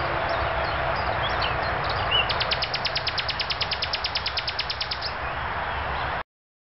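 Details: Common nightingale singing in a tree beside the Eixer See lake: a fast series of identical sharp repeated notes, roughly eight per second for about three seconds, after scattered softer phrases, all over loud steady broadband background noise.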